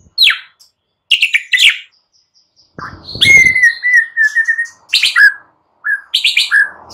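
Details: Morning white-rumped shama song for stimulating silent birds, with sharp descending high notes, a long clear falling whistle, and several short varied phrases separated by pauses.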